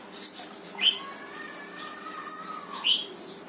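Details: A brown-throated sunbird sings in the 'tembakan' style used to provoke quiet birds: four high piercing chirps spread over a few seconds, a faint long thin whistle between them, and a soft background hum.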